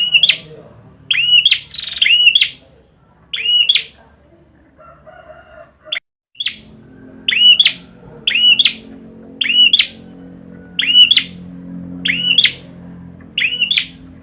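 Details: Prinia (perjak) singing persistently: a long run of short curved whistled phrases with sharp clicks, repeated roughly every second after a brief quieter gap, over a low steady hum.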